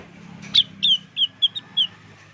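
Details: Five separate high whistles from a blue-winged leafbird lure recording, each short and slightly sliding, spaced irregularly over two seconds against a faint low hum.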